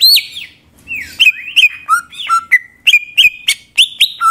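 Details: Greater green leafbird singing to provoke rival leafbirds: a high descending whistle, then varied sliding notes and sharp clipped chirps delivered in rapid, irregular bursts with small gaps between.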